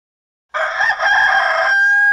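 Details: A rooster crows after a brief silence: one loud, harmonic, drawn-out crow with a wavering middle, held steadily to the end before being cut off.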